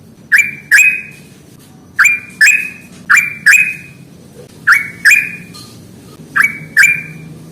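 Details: Young sooty-headed bulbul learning the song, played to stimulate lazy birds into singing: loud, clear notes in doubled pairs, each a sharp attack sliding down, about four pairs in the stretch, with a quiet background.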